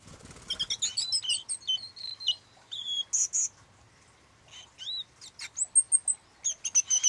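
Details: A blue-and-white flycatcher nesting under house eaves during incubation in mid-May 2013 gives high, quick chirps and short whistled notes, some rising, in bursts with brief pauses. A soft rustle opens the recording.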